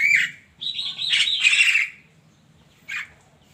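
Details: Morning song of a Javan myna: a sharp squawk, then a long buzzy grating phrase with whistled tones, a pause, and one short harsh note.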